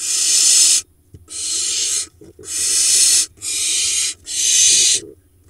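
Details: Israeli barn owl nest box, Hula Valley, 30 June 2021, with nestlings from the season's latest-laying monitored pair. Five long, raspy, breathy hisses, each near a second, separated by short pauses.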